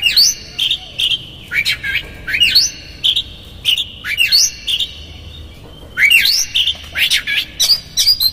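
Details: Energetic Oriental magpie-robin song used as a provoking lure, konslet style with rough fill phrases: fast rising and falling whistled sweeps interleaved with buzzy grating notes, in dense phrases with a short pause midway.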